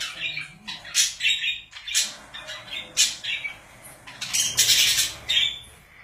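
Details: Pet budgerigars kept together: scratchy, squawking chatter in short bursts, broad and harsh, with soft chirps between them.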